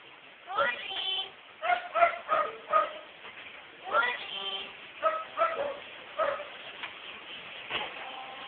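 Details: Pet female myna at home mimicking household words and conversation: a run of short harmonic, voice-like syllables in two bursts, some rising and some falling, separated by brief pauses.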